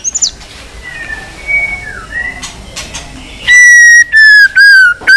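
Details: White-rumped shama in fighting song: faint slurred whistles at first, then loud, strong, steady whistled notes repeated in quick succession.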